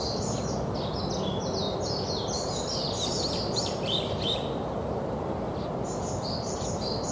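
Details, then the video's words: Birds chirping at a park in Lokeren, Belgium: dense high twittering with rapid rising and falling notes for about four seconds, a pause, then more chirps, under a steady low noise bed. "Chirping of the birds at Bospark Lokeren Belgium"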